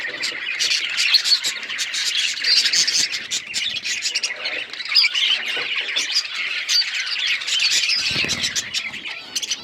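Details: Pet budgerigars in lively flock chatter: a dense stream of scratchy squawks, clicks and warbles, loudest in the middle, with a brief rustle near the end.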